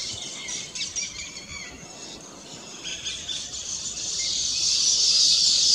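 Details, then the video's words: Weavers singing from their newly completed nests in celebration; scattered high chirps and short trills at first, then a louder, steady hiss of massed chatter building toward the end. "Weaver Bird Songs"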